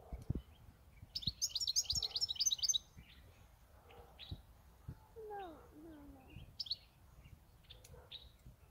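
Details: European goldfinch kept by its owner for eight years, giving a quick burst of high, tinkling twitters lasting about a second and a half, followed by scattered faint chirps and a few lower sliding tonal notes.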